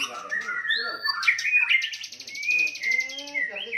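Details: White-rumped shama fighting song used to rouse rivals' aggression: sweeping whistled notes, a rapid rattling buzz, then long steady whistles and slurred rising phrases.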